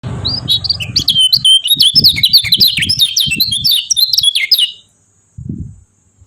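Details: Yellow-vented bulbul giving rapid 'ciak ciak' chatter: a dense run of sharp, high chirps and short downslurred notes for about five seconds, with low thumping noise underneath, then a short pause and a dull knock.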